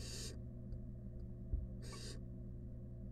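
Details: Nest-box recording of a wild barn owl with rat prey: a breathy, noisy screech at the start and another after about two seconds, a small bump between them and a low droning hum throughout.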